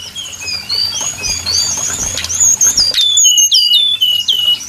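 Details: Brown-chested jungle flycatcher heard in a trapping lure: a string of sweet, evenly spaced whistled notes, then a louder run of descending slurred whistles.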